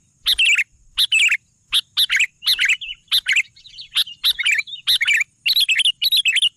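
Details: An actively singing sooty-headed bulbul gives a steady stream of crisp, clicky chirps mixed with quick descending twitters, phrases packed closely with short pauses.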